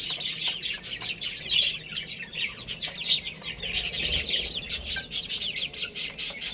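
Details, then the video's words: A group of baby chicks chirping while they play and feed, high thin peeps running together into a busy chatter, broken by frequent sharp tapping and scratching noises. "Cute Little Chicks Chirping Sounds| Baby Chicken Playing and Eating"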